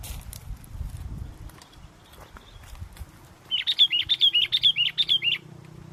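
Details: Sooty-headed bulbul singing lively in strong wind, recorded during bird luring: a quick run of about nine bright, bubbly chirped notes over roughly two seconds, preceded by low wind rumble.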